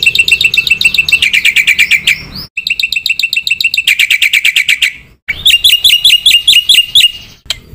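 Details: Black-winged myna in full, lively song: long unbroken runs of rapid bright whistles and chips, several notes per second, with brief pauses between three sustained bursts.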